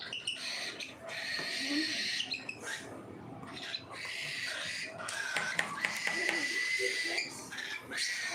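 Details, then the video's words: Feeding-time cockatiels keep up a chorus of rasping, sustained calls. The calls come in repeated bursts with brief pauses between them. "FEEDING TIME COCKATIELS"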